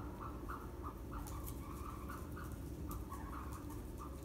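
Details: Ostrich chicks kept on a farm in northern Saitama, Japan, recorded 7 May 2020: short mid-pitched chirps repeated every fraction of a second throughout, over heavy low-frequency background noise.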